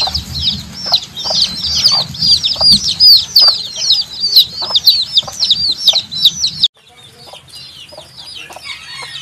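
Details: Loud overlapping peeps from a group of chicks, shrill and falling, pouring out rapidly; the sound suddenly becomes much quieter and more distant for the last few seconds.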